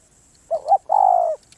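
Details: A single spotted dove phrase: a quick wavering double coo, then a sustained, steady, mellow note.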